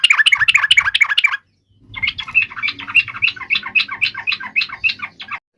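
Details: Yellow-vented bulbul in fierce fighting voice, intended to trigger an instant reply from other birds: loud, rapid chattering phrases, a brief break, then a long, busy stream of harsh, jumbled notes.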